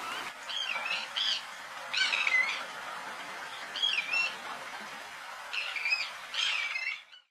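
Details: White-winged Tern in the Camargue, France, in May 2018, giving harsh, grating, rasping calls in short bursts, about five over several seconds, some run together in pairs, against a quiet background.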